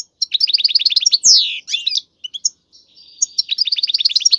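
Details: European goldfinch male in a cage, singing hard to push a female into breeding: rapid, evenly repeated high tinkling notes, a loud descending buzzy swoop, brief scattered chirps, then another fast run of twittering notes.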